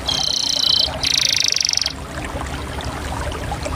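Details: Canary delivering two short, dense rolling trills, high and buzzy, separated by a brief pause and followed by quiet.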